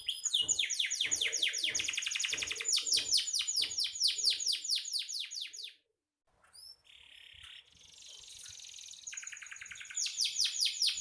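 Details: Gacor canary singing for songbird training: loud fast trills of descending notes over faint low regular knocking, a sudden pause, then soft whistles and a buzz before the trilling returns.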